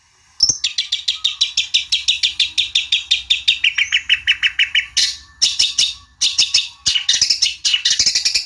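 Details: Long-tailed shrike song used to goad a rival into replying: a fast run of repeated chattering notes that steps down in pitch midway, followed by bursts of harsh, scratchy phrases.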